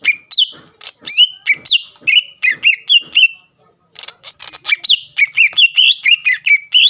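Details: Greater green leafbird in full song, provoking a rival: rapid sequences of loud, varied whistled notes with sliding pitch, a short silence midway, then a renewed burst of quick, bright repeated phrases.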